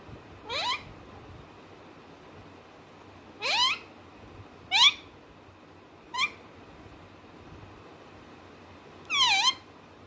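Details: Talking pet parrot produces five brief upward-sweeping harmonic squawks or syllables spaced a few seconds apart, the last one fuller and arching, against a quiet indoor background.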